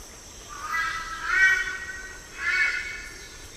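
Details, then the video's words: Raucous honking notes of a Red-billed Brush-turkey, a shy ground bird more often heard than seen; two harsh swelling calls separated by a pause, with faint background hiss. "The voice is loud, raucous,"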